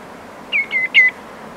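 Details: A common greenshank, recorded close up in the Camargue, gives awareness calls: three ringing, slightly falling whistles in quick succession, tew-tew-tew, with a distant redshank, over a soft wash of surf and wind.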